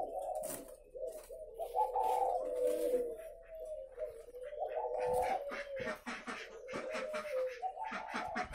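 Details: Several caged spotted doves at a dove-raising farm in Ba Vì, northern Vietnam, give mellow, hollow cooing phrases that overlap and swell, along with scattered clattering and tapping noises.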